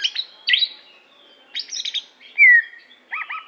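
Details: Greater green leafbird from Aceh giving brief harsh chatters, a smooth descending whistle, then a few looping warbled notes, with pauses between phrases.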